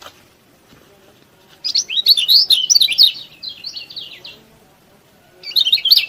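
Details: Yellow-bellied prinia singing vigorously, used to make lazy prinias sing: a long, high, scratchy run of rapid chirps and trills lasting nearly three seconds, then another short burst.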